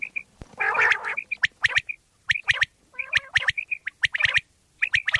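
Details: Common quail (bater) from Pakistan, a sound used to lure quail when hunting: short liquid whistled notes in pairs and triplets, mixed with sharp clicking bursts and a nasal, buzzy chatter.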